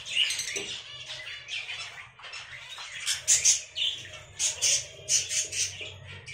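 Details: African lovebirds building a nest, producing dense, shrill chattering and squeaky chirps in overlapping bursts, with occasional louder sharp squawks.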